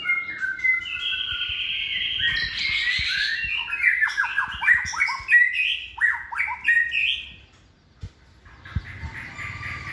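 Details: Caged white-rumped shama, hand-reared and in its second season, a bold multi-voiced competition singer. Bright whistles lead into a burst of sharp, rapidly repeated downslurred notes, followed by quieter sounds and a few knocks.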